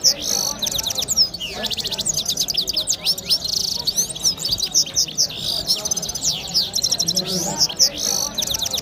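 A red-fronted serin sings a fast, continuous, high-pitched twittering song of rapid trills, buzzy notes and sweeping chirps, with faint background murmur.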